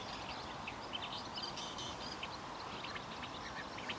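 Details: A singing male woodchat shrike of the nominate race senator at Rishammar, Kareby, Kungälv, on 10 June 2015: a faint, scratchy, jumbled warble of short high notes and chirps, running on without pause against a steady background hiss.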